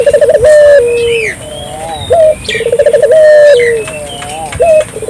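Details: Vigorous gacor coo of a Barbary dove (burung puter), played to get local doves to join in. Low pulsed trill rolls into a sustained, slightly falling coo, with a short rising note between phrases; faint chirps of other birds behind.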